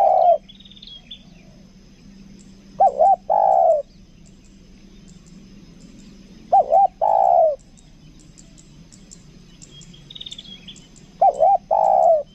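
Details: Kuk dua lure spotted dove from Lombok repeating a short cooing phrase about every four seconds: two quick hoots followed by a longer low coo, with quiet pauses and faint high bird chirps.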